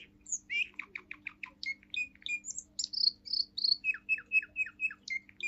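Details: Young male Russian singing canary, seven months old, pure singing line, performing the forest tune: rapid buzzy trill pulses, then clear whistled notes and a run of evenly repeated descending chirps.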